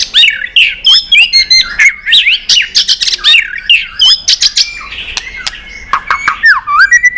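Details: White-rumped shama singing in competition style, tail-flicking and excited: loud, varied phrases of whistled slurs, rising and falling notes, sharp clicks and rapid chattering bursts, densely delivered with brief pauses, in a small indoor space.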